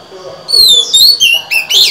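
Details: A female Oriental magpie-robin sings to stimulate males. Short whistled phrases swoop down then rise, each separated by brief gaps, sounding clear and sweet above a quiet background.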